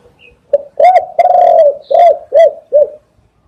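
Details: Loud spotted dove cooing used as a catching lure: a soft lead-in note, then a long, throaty, rolling coo and a string of shorter descending coos, ending abruptly.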